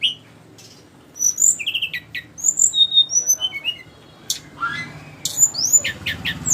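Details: Sikatan rimba flycatcher giving scattered high whistled notes and short slurs after a quiet start, then harsher downward chirps and a few loud ticks.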